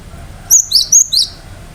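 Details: Gelatik batu, the cinereous tit, in vigorous gacor song: a single quick phrase of four piercing, high whistles alternating slightly up and down in pitch, clean and sharp against faint low hum.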